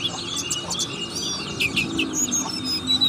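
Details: Brief burst of ngriwik singing from a buxtoni Oriental white-eye, a fruit-eating bird: clear high whistled slurs and sharp chips, with some low murmuring noise underneath.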